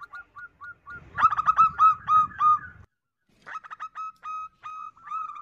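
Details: Zebra dove female giving a lure call to attract males, opening with spaced soft single coos, then a fast loud run of clipped repeated notes, a brief pause, and another quicker series.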